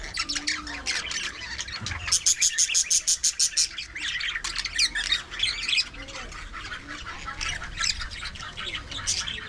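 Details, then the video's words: Budgerigars in an aviary colony: constant busy chatter of warbling and squawking notes, with a rapid run of repeated sharp chirps in the middle, many birds calling at once. "budgie parakeet talking"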